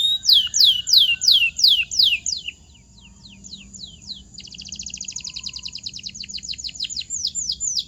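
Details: Training song for silent canaries. It opens with loud downslurred whistles at about three per second, softens into thin falling notes, then runs into a long, even, rapid rolling trill.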